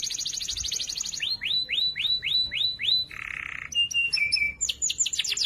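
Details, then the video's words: Loud, clear canary song used to train other canaries. A rapid high trill leads into seven evenly spaced rising sweeps, a buzzy rattle, steady pure whistles and a closing burst of quick sharp notes. "Masteran Burung Kenari Suara Lantang Dan Jernih"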